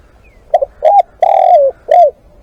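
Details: Spotted dove kept as a live decoy, giving one close, clear cooing phrase: a stuttered double note, an arched coo, a long buzzy coo dropping in pitch, and a final downslurred coo.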